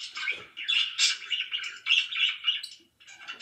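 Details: Pet budgerigars chirping loudly, a dense run of high warbling chirps and squawky notes, bursts coming in quick uneven succession with a brief pause near the end.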